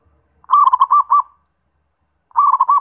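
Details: A zebra dove gives a bright, rolling cooed phrase of about five quick looped notes, then starts the same phrase again after a second of silence.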